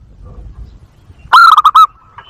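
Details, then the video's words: Zebra dove lure call used to attract doves and stimulate breeding: a loud burst of about five quick, clipped cooing notes with a slight hooked lilt, lasting half a second, then faint traces of further calling over quiet background. "PIKAT PERKUTUT ‼️ Suara Jernih Ampuh Buat Pikat & Masteran Perkutut Untuk Merangsang Birahi"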